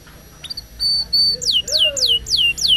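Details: Canary song on a lure recording meant to make silent or only-twittering canaries sing: a few thin steady whistles, then loud falling slurred notes repeated about every third of a second over a soft lower sweeping tone.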